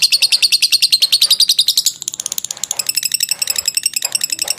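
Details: Lovebird ngekek trill, long song for training: loud rapid piercing notes for two seconds, then a quieter, higher string of thin chirps continuing steadily.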